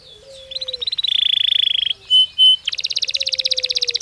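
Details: Belgian canary singing naturally: a buzzy, rattling roll at mid-high pitch, two clear piping notes, then a bright, fast high trill. A faint, low steady tone runs underneath.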